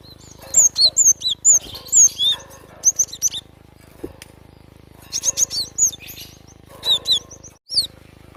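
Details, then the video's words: Java sparrow song made of sharp, high downslurred whistles in fast bursts, several phrases with short silences between, and a steady faint hum throughout. "GLATIK SUARA ASLI ALAM"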